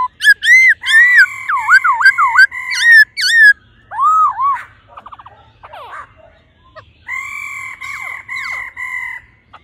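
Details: Female laughingthrush 'ro ro' calling to stimulate the male: a rapid burst of looping whistled notes, a soft warbling passage, then steady held whistles with quick slurs over them.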